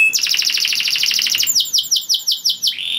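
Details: Canary song for bringing other canaries into breeding mood: a rapid pulsing trill followed by six or seven sharp falling notes and a short rising whistle.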